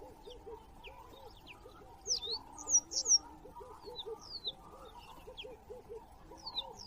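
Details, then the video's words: Acacia pied barbet, a species native to southern Africa, at a bird webcam: quick series of short nasal arched notes, roughly two to three a second, with louder high descending whistles from other birds on top. "Acacia Pied Barbet (Tricholaema leucomelas)"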